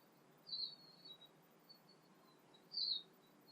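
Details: Tui during an early morning sunrise in the South Pacific, mixed with other birds: two clear, high whistled notes, each slightly falling, about two seconds apart, over a faint steady low hum.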